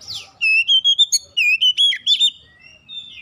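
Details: Magpie-robin song used as a lure to provoke other magpie-robins into responding: a quick run of loud, clear whistled notes. Each note is short, slurred or slightly rising, packed into about two seconds, with a thin faint trill at the end.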